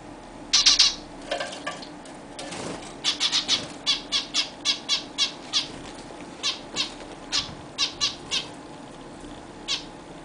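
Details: Zebra finches bathing for the first time in their new, bigger cage. A burst of loud nasal calls is followed by a long series of sharp, fairly regular splashing or flapping pulses with occasional calls.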